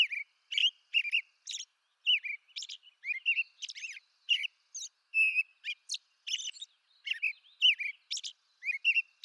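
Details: Eastern North American robin (Turdus migratorius) delivering a steady stream of brief whistled phrases, roughly two or three per second, mixing mid-pitched carols with thin, high squeaky notes; nothing else audible.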